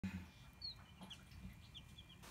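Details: Lots of baby chicks, with several short, thin, high peeps that slide downward, scattered and fairly faint across a couple of seconds over a low rumbling background.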